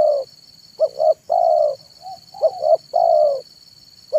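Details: Afternoon song of a zebra dove kept as a decoy for wild birds: paired short cooing notes then a drawn-out purring coo, repeated about twice in four seconds, with a constant high-pitched hum behind.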